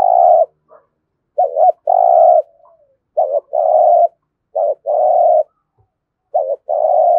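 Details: Spotted dove, Đồng Nai, Vietnam, in thúc gù competition cooing with thổ voice: rapid series of five phrases, each a quick double note leading into a long steady low coo, little pause between.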